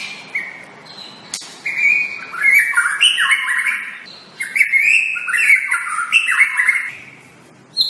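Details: White-rumped shama master song for training caged shamas. Two long bursts of loud, fluty whistles cascade downward in stepped phrases, sprinkled with high chips, separated by a short lull and closing with a sharp note.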